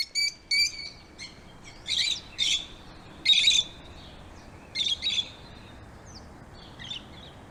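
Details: Excited lovebirds giving short, sharp high chirps and harsher scratchy notes in separate bursts about half a second to a second apart, over a faint hiss.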